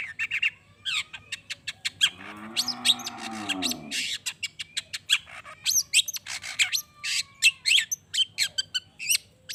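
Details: Long-tailed shrike singing busily, meant to excite any shrike into answering. A dense run of sharp chattering notes and scratchy bursts, interrupted by a low, drawn, nasal, mewing sound, then rapid chatter resumes.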